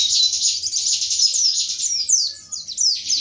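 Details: White-eye from Indonesia singing a long, fast, high warbled song of rapid descending chirps and trills that tumble on without pause.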